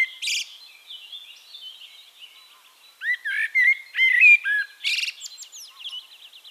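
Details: Song of a Eurasian blackbird in Castricum, the Netherlands. After a quieter opening, a loud series of fluty, swooping whistled notes comes midway, followed by a scratchy high flourish. Other birds twitter continuously at higher pitch behind it.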